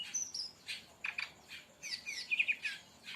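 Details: Brown-chested jungle flycatcher in tembakan style, a master recording for luring or training birds: short buzzy bursts mixed with bright whistled notes around a steady high pitch, given in quick clusters with brief pauses.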